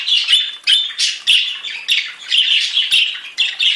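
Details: Rapid budgerigar warbling from a group of different birds: clipped, raspy chirps and squawks strung together about every half second in a busy, uneven chatter.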